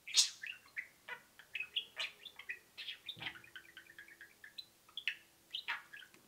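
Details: Pet budgerigars indoors twittering softly: a continuous murmur of high chirps and warbled peeps, quieter, with some faint room hum behind.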